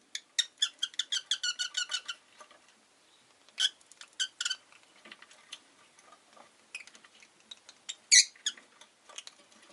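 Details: Rosy-faced lovebird chirping: a fast run of sharp, high, clipped chirps for two seconds, then scattered louder shrill notes and softer twitters, ending with a piercing squeak.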